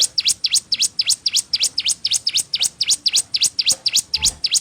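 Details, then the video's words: Sunda warbler performing one of six song variants for bird tutoring: bright, piercing chirps in quick succession, each a sharp down-and-up sweep, repeated about four times per second throughout. "Ciblek Gunung (CIGUN) Masteran Burung Bahan -- 6 VARIAN SUARA YG BELUM KAMU KETAHUI"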